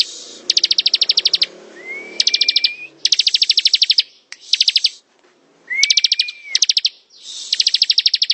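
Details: Bar-winged prinia in ngebren song: repeated bursts of fast, bright, high ticking notes, some ten or more each, broken by two slightly rising long whistles and short pauses, a low murmur at the start.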